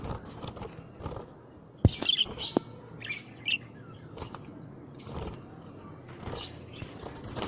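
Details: Budgerigar chirps come as bright, quick, scattered tweets over a low background rumble. Occasional sharp knocks sound between the notes.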